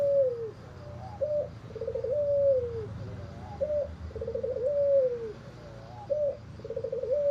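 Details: Hoarse-voiced albino Barbary dove, white with red eyes, giving three cycles of husky cooing: a short rising note, a rough rolling burst, then a drawn-out falling coo, over a steady low background hum.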